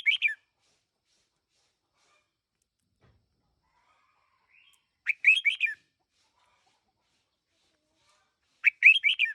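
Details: Red-whiskered bulbul decoy bird of one year, singing brief bursts of lively slurred chirping notes at intervals of about four seconds, clean and quiet between phrases.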